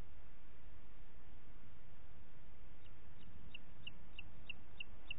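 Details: Booted eagle recorded in Parc Natural dels Ports on a June 2021 morning: after nearly three seconds of low rumble, roughly eight high, clipped notes follow in an even series.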